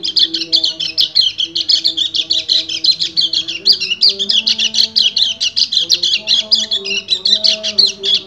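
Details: Male white-eye in continuous 'ngebren' song aimed at a female in breeding condition, a long, rapid, high, scratchy warble with no gaps, over faint low shifting background tones.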